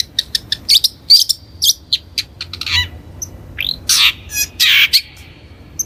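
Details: Long-tailed shrike, the cendet or bentet kelabu, used as a lure recording for training birds: a busy mix of short sharp chips, harsh squawky bursts and upslurred notes, loud and high-pitched, with no other sounds.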